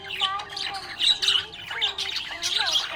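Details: Cheerful budgerigar chirping in short bursts of raspy, bright twittering, with gliding lower tones underneath.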